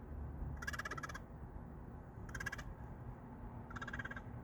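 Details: Crows visiting a workplace almost daily, making an unfamiliar sound: three short bursts of rapid, rattling, clicking notes with a throaty buzz, spaced over four seconds, over steady low rumbling background noise.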